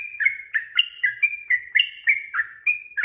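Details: Sooty-headed bulbul delivering continuous 'ropel' song, recorded as training audio for cage birds. Bright gurgling notes alternate between slightly higher and lower pitches in an unbroken, bouncy sequence of about three notes a second.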